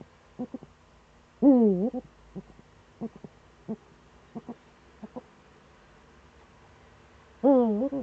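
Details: In the Eifel, Germany, on a September 2013 morning, a Eurasian eagle-owl gives a loud dipping, harmonic wail early and another near the end. Faint scattered ticks fill the quiet stretch between.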